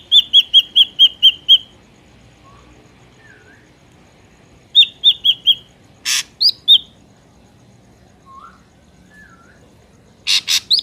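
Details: Song of an ashy drongo, played to lure birds into traps: quick metallic note series, soft downslurred whistles, brief ringing phrases and loud harsh buzzy bursts spaced through a quiet background.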